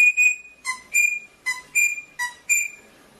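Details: Rosella singing: clear whistled notes that alternate between a lower and a higher pitch, given in quick pairs about every 0.4 seconds, each note ringing with bright overtones, in an otherwise quiet setting.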